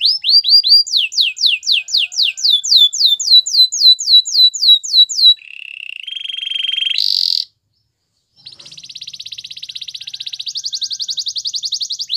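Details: Canary song used to train canaries: fast falling whistles in a steady series, a lower rolled trill, a short harsh burst, a gap of silence, then a long high buzzing trill.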